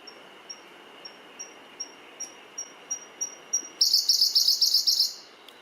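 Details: Siberian blue robin singing on Mount Mitsutoge in the Misaka mountains near Fuji, Japan, on 18 June 2019: a series of thin, high ticking notes, quickening and growing louder, then bursts into a loud, rapid, high trill lasting over a second.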